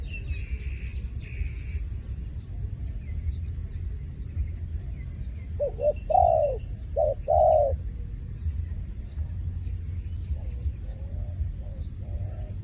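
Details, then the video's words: Dove giving repeated low coos: paired short hoots then longer drawn notes in two bursts midway, fainter coos later, with steady humming background and a few thin high chirps. "The sound of a dove calling"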